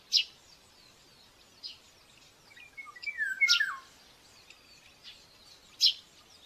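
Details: At a nest-camera site in Tiszalök, Hungary, on a May 2024 morning, a common buzzard chick gives one drawn-out, downward-slurring squeal during feeding. Sharp, high chirps from other birds sound before and after it.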